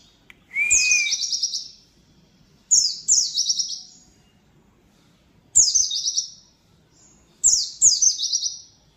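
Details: Oriental white-eye delivering its song material energetically. It gives a short rising whistle, then four bursts of rapid, sibilant, descending chattering trills, some doubled, with pauses of one to two seconds. Nothing else stands out.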